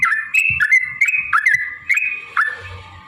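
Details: Yellow-vented bulbul, long rapid 'ropel' song meant to provoke singing: a few bright liquid notes rising and falling in quick succession, then a fading tail with faint background hiss.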